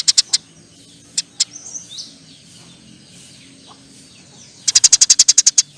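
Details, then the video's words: Eurasian tree sparrow with long, chattering song (nyerecet panjang): a few scattered high chirps, then a fast run of about a dozen sharp, evenly spaced chirps at the end. "NYERECETTT PANJANG, KICAU BURUNG GEREJA GACOR"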